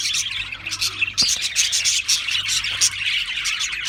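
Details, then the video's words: Many Australian parrots chirping together in a dense, overlapping chatter of high, rapid twitters and squeaks that runs without pause. "Beautiful Australian Parrots Chirping sounds"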